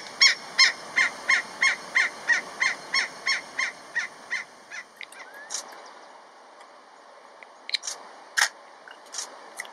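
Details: Giant Kingfisher (Megaceryle maxima) calling to its mate in Kruger National Park. It gives a sharp, fast series of about fourteen harsh rattling notes, about three per second, fading out, then a few scattered harsh notes.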